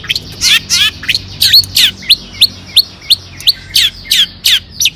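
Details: Long-tailed shrike giving its toet toet song to make other shrikes sing. A couple of harsh raspy notes give way to a steady series of short upward chirps, about three each second.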